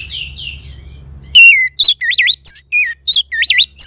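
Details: Loud, clear song of an Orange-headed thrush, used as playback to get a silent bird singing: soft falling warbles, then a quick series of rich looping and down-slurred whistled notes, about three per second.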